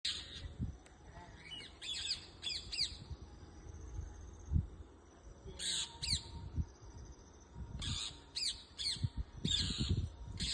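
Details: Parrots in a moringa tree in a backyard give harsh, high squawks in short clustered bursts, some repeated rapidly, over low thumping and rumbling background noise.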